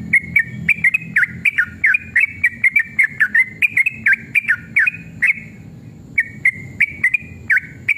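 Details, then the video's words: Long rapid song of an agitated sooty-headed bulbul, played to provoke others into replying: fast strings of clear whistled notes, each dipping and rising, repeated several times a second with a short pause near the end. "trucukan gacor EMOSI ROPEL PANJANG pancingan trucukan agar bunyi JADIKAN burung trucukan gacor NYAUT"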